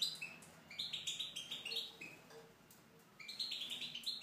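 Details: Tunisian goldfinch singing in an aviary, a fast run of high, tinkling twitters and brief trills in two bursts separated by a short pause.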